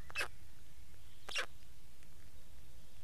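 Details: Black stork giving two brief, hoarse, hissing bursts about a second apart, with constant low-pitched rumbling underneath.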